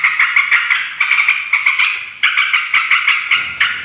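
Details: Yellow-vented bulbul in noisy chatter, for luring wild females and males: grouped bursts of harsh, clicking notes, each run falling away before the next starts.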